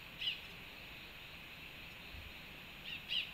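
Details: Rufous-tailed hummingbird drinking at a feeder in Panama on 13 March 2024 gives three brief, high, dry chips: one early, then a close pair near the end, over a steady background hiss.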